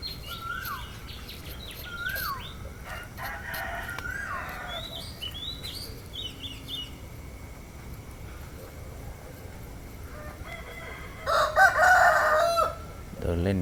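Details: Early on a cool winter morning in Thailand, while the sky is still dark, small birds repeat clear, falling whistles, then a rooster crows once near the end with a loud, hoarse, drawn-out cry of about two seconds.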